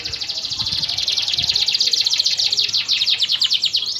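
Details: Canary song for training other birds: a dense, rapid high trill of overlapping notes running continuously, with a thumping low noise and murmur in the background early on.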